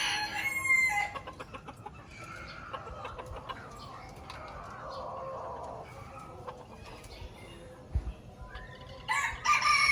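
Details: Lure recording of an Aceh red junglefowl: a rasping crow at the start, a long stretch of soft murmured clucks over background hiss, and a fresh crow beginning at the end.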